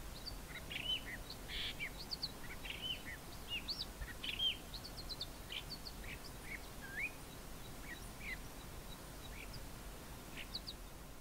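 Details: A male Common Fiscal in fynbos at Grahamstown sings a steady medley of short, varied chirps, trills and whistled slurs, mimicking local birds such as Wailing Cisticola and Cape Grassbird, over faint background hiss.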